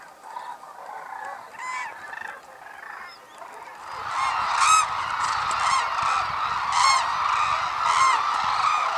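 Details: Hooded and White-naped Cranes gathered at Arasaki Crane Center in Kyushu, Japan, amid snow: scattered trumpeting calls swell into a dense, continuous chorus of overlapping honking cries, with some louder individual calls standing out.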